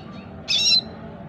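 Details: Four-month-old red siskin practising song in captivity, uttering a single loud, rasping, buzzy note of about a third of a second, high and noisy, against quiet background hum.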